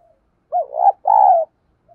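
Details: Decoy spotted dove cooing to challenge wild birds: a quick hooked note and a rough, undulating middle part, then a long, even, low-pitched coo, with a faint soft note before and after in quiet surroundings.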